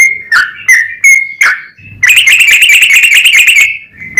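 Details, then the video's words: Yellow-vented bulbul in full 'ropel panjang' style, used as a lure to make other bulbuls sing: a few loud separate whistled notes, then a long rapid bubbling chatter of repeated notes lasting nearly two seconds, ending with one last note. "SUARA trucukan gacor ROPEL PANJANG pancingan trucukan agar bunyi"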